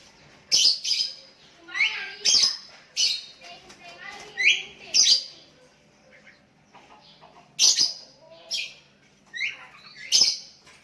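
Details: Sooty-headed bulbuls in a calling exchange with a rival: loud harsh chips, short wavering whistles and rising slurred notes in irregular bursts, with a quiet gap midway.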